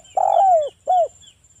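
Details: Spotted dove, a local bird, singing the wild 'ngalas' lure song meant to make other doves call back: one long, full coo gliding downward, followed by a shorter rounded coo, over quiet background.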